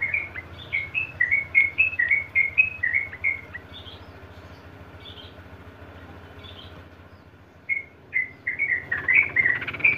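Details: Sooty-headed bulbul singing in the long, rapid ngeropel (ropel) style used to train other birds: quick chains of short warbled notes for about three and a half seconds, a pause, then the run resumes over a faint background hum.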